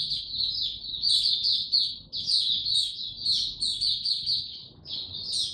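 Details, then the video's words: White-eye kept in a cage, recorded 29 April 2022 with no supplements given, pours out a fast, high, jumbled twitter of slurred notes, pausing only briefly between tumbling phrases. "Mata Puteh Hercules buka sing"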